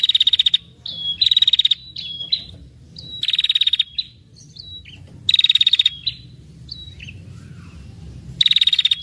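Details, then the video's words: Female red-headed prinia calling with a long 'ngetir' trill used to lure males: rapid, even, high-pitched buzzy trills lasting about half a second, repeated every one to two seconds, with short thin whistled notes between. "SUARA PIKAT PRENJAK KEPALA MERAH BETINA NGETIR PANJANG"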